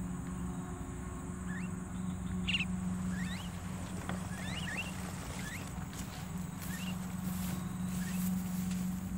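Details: Javan myna calls used to lure birds during trapping; a run of brief hooked whistles and chirps repeated irregularly over a constant low mechanical drone.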